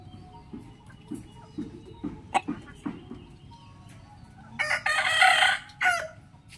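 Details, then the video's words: In the morning, soft low clucking notes repeat for several seconds before a rooster lets out a loud, strained, harmonic crow lasting over a second, trailing off with a short dip in pitch. "rooster crowing sound effect"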